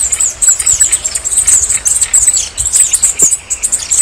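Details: Red-necked Tanager singing fast, piercingly high, lisping phrases that are repeated in quick pulses, with a faint lower chirp near the end.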